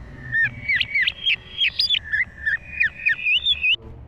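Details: Green leafbird in full, energetic song: a steady run of clear whistled phrases that loop up and down, repeated about once a second, with faint chirps mixed in.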